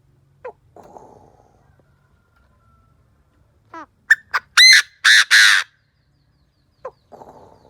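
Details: Decoy Chinese francolin calling to lure wild birds: a single phrase opens with a few thin, rising clicks, then builds into loud, harsh, buzzy notes, the last two long and grating. Quiet before and after, with faint rustling noises.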